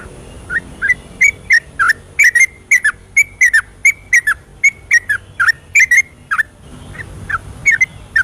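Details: Yellow-vented bulbul singing at night in the long, continuous 'ropelan' style, used as a lure to get reluctant bulbuls singing; rapid bubbly whistled notes near the same pitch, some slurred downward, in a steady chattering run with short pauses.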